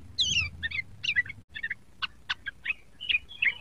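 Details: Young yellow-vented bulbul rehearsing song: a descending whistled slur opens a loose series of short chattering phrases and sharp chips, irregularly spaced, with soft low hum behind.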